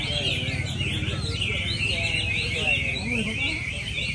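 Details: Chinese hwamei competing at Mỹ Đình, Vietnam, 19 July 2020, with bird number 37 the first-prize winner. Strong, rolling whistled phrases overlap continuously, bending up and down in pitch, while people talk in the background.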